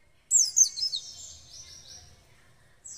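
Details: White-eye (pleci) during singing training: a short burst of piercing, high downslurred twitters, followed by faint, softer trailing notes and a quiet hum.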